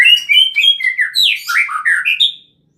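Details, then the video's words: White-rumped shama of the Bohorok type, a wild bird singing in forest: a rich phrase of clear whistled notes stepping downward, then rising again near the end, delivered in about two and a half seconds with no other sounds. "suara asli hutan murai bohorok"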